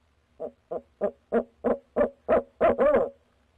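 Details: One of a pair of barred owls calling after dark on 6 February 2019: nine hoots grow steadily louder and end in a stretched, wavering final note.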